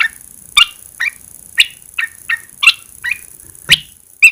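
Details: Caged red-eyed bulbul after 14 days under a cage cover, singing as the cover is first removed: a series of short, bright chirped notes spaced roughly half a second apart, with a steady high hiss behind.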